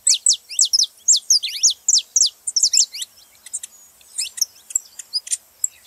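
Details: Saffron finch belting out rapid, bright downslurred chirps in close series for three seconds, followed by softer spaced notes, sung to stimulate a cold canary to sing.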